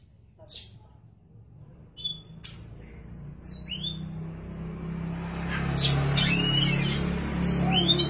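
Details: Oriental magpie-robin (kacer), described as a gacor, vigorously singing bird, giving scattered sharp whistled and chirped notes, some rising, with a steady low hum and noisy background building toward the end.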